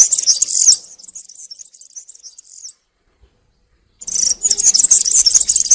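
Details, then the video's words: European serin singing the country style in woodland, for juveniles to copy: a loud glittering jingle fading into a quieter high twitter, over a second of silence, then the rapid, buzzy trilling returns strongly. "𝗥𝗘𝗖𝗟𝗔𝗠𝗢 𝗩𝗘𝗥𝗗𝗘𝗖𝗜𝗟𝗟𝗢 𝗖𝗛𝗔𝗠𝗔𝗥𝗜𝗡 𝗖𝗔𝗠𝗣𝗘𝗥𝗢. 𝗘𝗗𝗨𝗖𝗔𝗥 𝗬 𝗠𝗢𝗧𝗜𝗩𝗔𝗥 𝗩𝗘𝗥𝗗𝗘𝗖𝗜𝗟𝗟𝗢. 𝗖𝗔𝗡𝗧𝗢 𝗖𝗛𝗔𝗠𝗔𝗥𝗜𝗡 𝗘𝗡 𝗘𝗟 𝗕𝗢𝗦𝗤𝗨𝗘"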